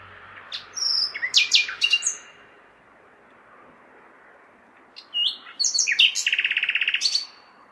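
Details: Common nightingale song on a May night amid city noise: a phrase of sharp descending notes, a pause, then varied whistles leading into a fast, evenly pulsed trill, over a broad urban hiss.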